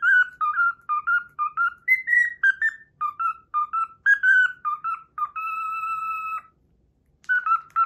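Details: Cockatiel kept as a pet whistles the Pythagora Switch opening theme it has learned: quick clear whistled notes in a bouncing phrase, then one long steady held tone, a short pause, and the melody resuming.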